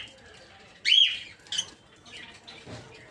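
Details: Peach-faced lovebirds, also called rosy-faced lovebirds, kept for breeding in an aviary, colour mutations including red-headed green opaline, red-faced dark green, blue rosy and lutino; a loud shrill screech followed by a shorter squeak and softer chatter.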